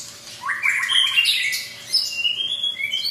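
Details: White-rumped shama with a very long tail, a Medan bird given special care, delivering bright whistled phrases: a quick rising run of notes, then slurred, sweeping whistles and sharp high chips in a continuous, lively stream.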